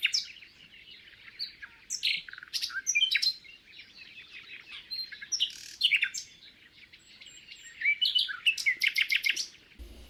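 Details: Common nightingale (Luscinia megarhynchos), song: answering a rival nightingale in alternating song duel.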